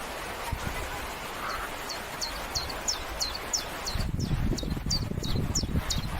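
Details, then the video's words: Common chiffchaff repeats short, high, clipped notes about twice a second in a steady chiff-chaff rhythm, over low rumbling wind and rustling. "Chiffchaff Sounds"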